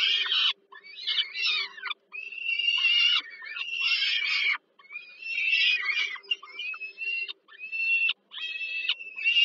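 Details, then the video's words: At the Żerań power plant, Warsaw, Poland, on 15 July 2022, peregrine falcon young beg during their mother's supper feeding: hoarse screeching calls of one to two seconds each, broken by short silences, with a low steady hum. "Sokół wędrowny Warszawa, Termika Żerań (PL)- kolacja, Nela karmi maluchy"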